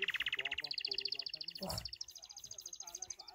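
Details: Hand-tame pet goldfinch singing softly: a rapid stream of repeated twittering notes stepping from lower to higher pitch, with background hiss and a brief rustle midway.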